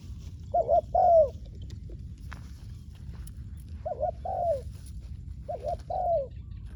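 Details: Spotted dove used as a ground decoy to lure wild doves, giving clear mellow coo phrases: a short double note then a longer drawn, falling coo, repeated three times about every two and a half seconds over low rumble.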